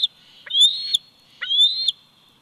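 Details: Bald eagle eaglet, 104 days old, at a nest cam in Big Bear Valley on July 27, 2019: two high, thin whistled calls, each rising and ending in a sharp click, separated by about a second of quiet.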